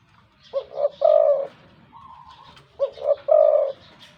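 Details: Spotted dove used as a decoy bird, wild-caught with a big voice, delivering two coo phrases, each of short stuttered notes ending in a long low coo, with a soft whistle-like note between.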